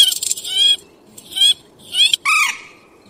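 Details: At night, a purple swamphen gives a run of four coarse, nasal screeches, the first three wavering and rasping, the final one a lower arched squawk, with short quiet gaps between.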